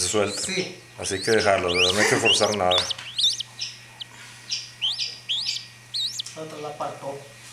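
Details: Chachalacas at birth: after a few seconds of human talking, high thin rising peeps follow one another about twice a second, with soft low murmuring underneath.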